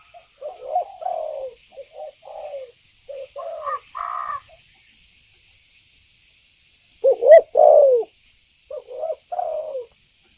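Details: Lure recording of a lively spotted dove, meant to provoke birds: soft low coos in short groups, a brief higher harsher note midway, then more paired coos after a pause, over a faint hiss.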